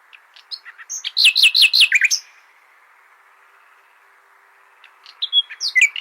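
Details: Nightingale singing as a tutor song for goldfinches: scattered short notes building into a rapid loud repeated phrase of sharp descending notes, then silence, and another phrase of sweeping high notes starting near the end.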